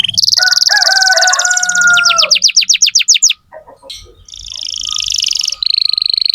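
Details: Canary song for tutoring young canaries: a high fast trill over lower whistled tones, then a series of falling sweeps, a short pause and more rapid high trills.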